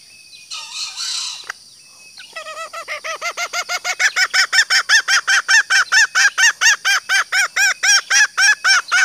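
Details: Female green junglefowl luring males with her call: a brief noisy rustle at first, then a lengthening chain of short, arched cackling notes that swell in loudness and continue rapidly and evenly to the end.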